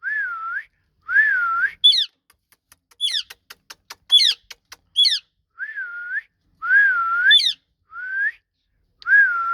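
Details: A rose-ringed parakeet talks in short, squeaky, whistled phrases that dip and rise, mixed with sharp high chirps and a run of quick clicks.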